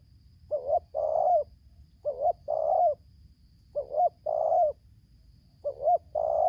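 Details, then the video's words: Spotted dove coos in Lampung, Indonesia, from a wild bird facing a decoy during trapping, tarik akar selang nguku style: four steady phrases about every 1.7 seconds, each a quick two-note coo and a long low croon. "BL Idaman suara tarik akar selang nguku"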